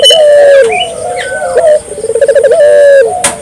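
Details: Barbary dove in full voice, used to get local doves calling: a long low coo, then a quick bubbling trill running into another drawn coo, with faint thin whistles from other birds behind.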